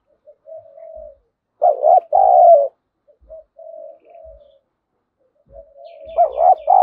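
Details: A 'giọng thổ' style spotted dove lure, calling so wild birds come to fight, gives soft trailing coos, then one loud hoarse double coo, more soft coos, and a rising, louder coo at the end.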